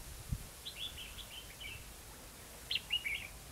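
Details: Red-whiskered bulbul lure bird singing competitively at a trapping site in Hòa Mạc, Hà Nam, Vietnam: a run of chirpy warbled notes, a pause, then a brighter burst of sharp notes; a soft thump early on.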